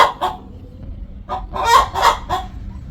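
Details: Hen before laying an egg: a couple of short clucks, then a loud cluster of three harsh, nasal squawks with a low background hum.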